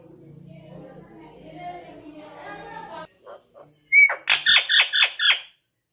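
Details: Green Indian ringneck parrot in an aviary. Soft, murmuring voice-like sounds come first, then a quick run of about six harsh, piercing screeches in close succession.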